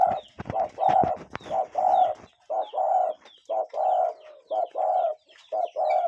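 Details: Cuckoo calling in nature, a real wild bird: mellow two-part notes, a short clipped note then a longer hollow one, repeated about once a second, with clattering knocks in the first seconds.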